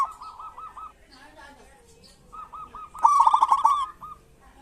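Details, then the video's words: Singing local zebra doves, played to spur doves that seldom sing: a string of evenly spaced rounded coos, a quieter pause, then a loud, dense rattling trill overlapping further coos. "Pancingan perkutut lokal gacor cocok buat perkutut lokal susah bunyi"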